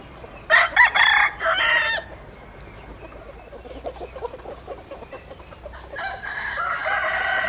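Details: Domestic chicken scene with a rooster's broken, harsh crow near the start, soft clucking and scratching in the middle, and another bird rising in the background toward the end.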